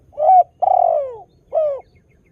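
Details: Actively calling spotted dove whose song is meant to lure new doves into answering: three soft, mellow coos, the middle one long and slowly sliding downward, in a quiet setting.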